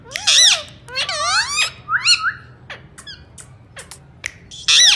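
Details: Indian ringneck parakeet talking: a string of nasal, rasping word-like phrases with wavering and rising tones, then short clipped syllables, ending in a loud harsh burst. The room is otherwise quiet.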